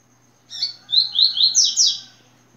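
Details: Papa-capim, the yellow-bellied seedeater, gives its "tui tui" song: a short burst of high, sweet descending slurs, roughly six in quick succession, with the last notes pitched higher, and a constant soft background hum.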